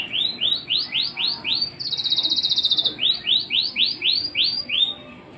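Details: White-rumped shama in daily song: repeated crisp upswept whistles in rapid rhythm, broken by a dry buzzy trill about a second long, then the upswept notes resume.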